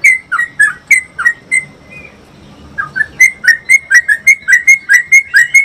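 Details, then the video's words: A yellow-vented bulbul used as a training lure gives bright, bubbly whistled notes in quick runs, a brief pause, then a long rapid roll of about a dozen notes. "trucuk ropel panjang"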